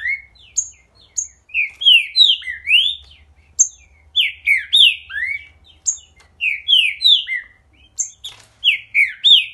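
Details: Green-winged saltator (Saltator similis) singing energetically: loud, rich whistled phrases of quick slurred notes, mid to high pitched, repeated about three times a second, with a faint low hum beneath.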